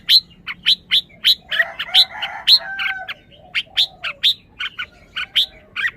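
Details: Red-whiskered bulbul producing evenly loud, bright clipped chirps in loose series, with a brief lower warbled phrase partway through and quiet gaps between notes.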